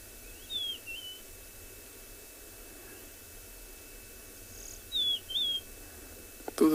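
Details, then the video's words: Second rufous-naped lark responding to another's song at sunrise, Tswalu Kalahari Reserve, South Africa, 21 October; high slurred whistles with short trills repeated twice, about four seconds apart, ending in a brief clatter of handling noise. "you can hear the response of the other lark. Those"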